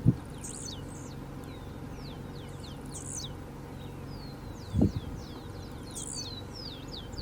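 Blue-black Grassquit giving thin, high, buzzy notes, repeated every few seconds over a steady low rumble, with a couple of dull thumps and faint chirps from other small birds.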